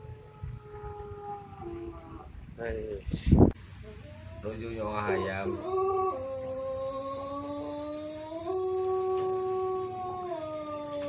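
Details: After a person talks and a loud clatter, a champion Pelung rooster of Arjasari, Bandung Raya, lets out a long drawn-out crow with stepped rises and falls, holding each level steadily for several seconds.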